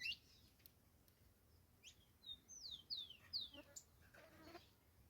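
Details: Saffron finch song as a series of clear, high whistled notes, each sliding downward, given in quick succession midway, followed by buzzier chips, against a steady hiss of background noise.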